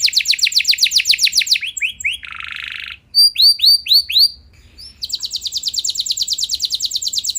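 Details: Canary singing to goad other canaries into replying, with long rolls: fast repeated descending sweeps, a dense buzzy burst, a few loud downward-curving whistles, a short pause, then a rapid high rattling roll to the end.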